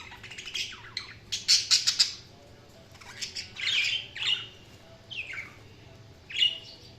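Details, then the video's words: Budgerigar chatter: a quick run of sharp, clicking chirps, then warbled, squawky high notes and short, rising-falling twitters spaced by brief pauses. "Budgies Chirping sound"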